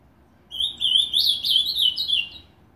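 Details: Captive ultramarine grosbeak (azulão) in Novo Hamburgo, Rio Grande do Sul, Brazil, singing on a new perch peg at a new home: a rich, warbled two-second phrase of sweet, slurred rising and falling notes against a quiet indoor background.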